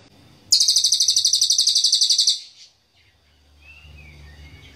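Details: Cililin song, valued as a sharp, very dense master song for training songbirds: a tight high trill of rapid repeated notes lasting about two seconds, then quiet with faint low rumble.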